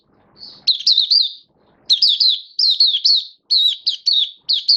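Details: Caged oriental white-eye (mata puteh) singing while being brought into form, 19 September 2022: repeated phrases of shrill, tumbling warbled notes, each about half a second to a second long, in a steady sequence.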